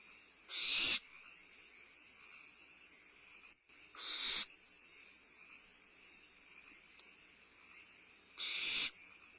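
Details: Barn owlet at Starr Ranch, recorded 22 May 2011 at midnight while having a meal, limping and using its wings for balance; three harsh, broadband hissing screeches about half a second each, spaced roughly four seconds apart, over a steady electrical hum.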